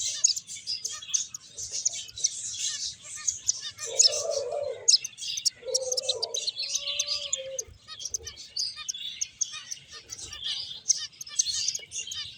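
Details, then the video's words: A group of finches playing and eating gives an unbroken stream of high chirps and squeaky tweets, joined midway by a couple of lower, nasal, drawn-out notes. "Cute Birds Chirping Sounds | Beautiful Finches Playing and Eating"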